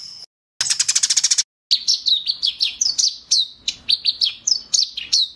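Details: Eurasian tree sparrow chirping: a rapid burst of harsh, buzzy chirps followed by a steady series of short, high, slightly descending chirps, roughly three to four per second.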